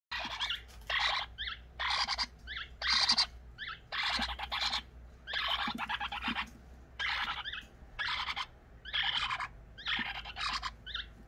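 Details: Pet eclectus parrot, the youngest of the household, persistently begging for food even with a full crop; harsh, raspy bursts repeated about once a second, each about half a second long, with short softer notes between.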